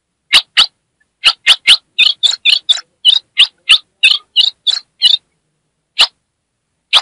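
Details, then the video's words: A female Ultramarine grosbeak from north-eastern Brazil, calling to excite a male, gives harsh, buzzy chips, about twenty in seven seconds, in quick irregular bursts with short pauses. "Essa FÊMEA vai deixar seu AZULÃO LOUCO│ESQUENTE SEU AZULÃO! MELHOR CHIADO DE FÊMEA"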